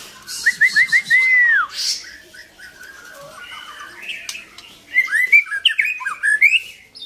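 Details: Long-tailed white-rumped shama song: a quick series of similar upslurred whistles ending in a long falling note, a quieter pause, then a burst of varied chirpy whistled phrases.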